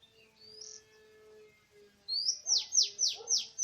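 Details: Oriental magpie-robin in forest, recorded while bird trapping on 24 March 2017. Thin rising whistles, then a run of four loud, high notes sweeping steeply downward, over a steady low hum.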